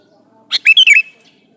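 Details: One bubbly phrase from a male sooty-headed bulbul calling a female: a sharp opening note, then a quick run of warbled, falling whistles.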